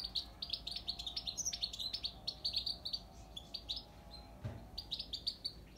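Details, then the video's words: Soft but continuous Himalayan goldfinch twittering, a steady stream of tinkling high chirps with a brief low thump near the end and a faint background hiss. "Hemalaya goldfinch"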